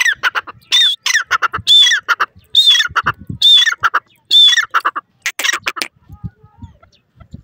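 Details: Grey francolin, called bhura teetar or titer in Hindi: loud harsh repeated notes, each phrase with a rising squeaky whistle, about six phrases in quick succession before falling quiet.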